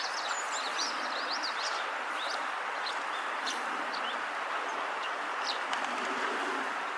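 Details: Eurasian tree sparrow calling by the river in the setting sun: thin high chirps, denser early then spaced out, each brief, over a strong unbroken rushing noise.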